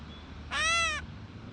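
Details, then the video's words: One cat-like mew from a gray catbird, a half-second harsh nasal note that rises slightly and then falls, over a quiet background with low hum. "Catbird Call | Gray Catbird Call"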